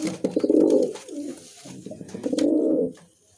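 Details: Two drawn-out, burbling coos from a Musaldom pigeon, a domestic breed, each near a second long with a short gap between, recorded indoors with faint clicks.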